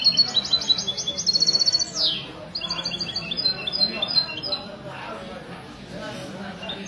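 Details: European goldfinch singing in a Sunday-morning song contest at a café in Ksar el Kebir, Morocco, 16 February 2020, mestizo song style: rapid bright twittering trills and buzzy notes, a quick downslurred sweep, faint voices murmuring behind.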